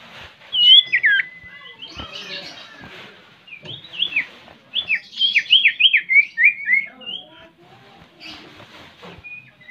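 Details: Common Iora song as a lure to encourage singing: twisting, warbled whistle phrases, a pause, then a fast run of looping notes, ending with sparse soft chirps.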